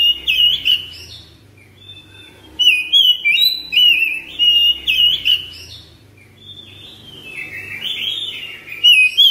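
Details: A caged oriental magpie-robin kept at home gives a long-breathed ngropel song. Rapid whistled warbles and trills run in dense loud bursts, some notes rising sharply, with brief quieter gaps and a faint low hum beneath.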